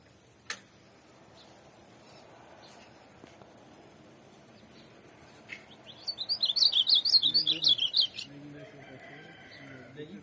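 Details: After a long quiet stretch with a sharp knock, a tournament ultramarine grosbeak bursts into a loud two-second warbled phrase of rapid up-and-down notes, with faint low sounds beneath.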